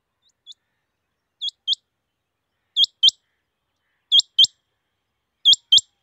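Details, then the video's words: Rain quail giving sharp, high, metallic double notes, "which-which", repeated about every second and a half against a quiet background. "Rain quail calling"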